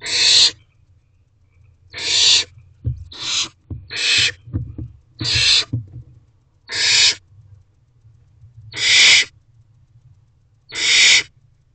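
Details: Barn owl owlet alone in a nest box at dusk, hissing its dissatisfaction that the parents have not returned with food: a run of eight rasping, noisy hisses, each about half a second, spaced one to two seconds apart.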